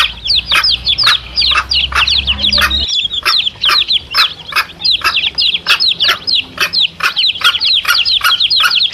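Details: Chicks with their mother hen, intended to draw in wild male junglefowl; dense, rapid downslurred peeping with steady sharp clucks throughout, briefly broken near three seconds.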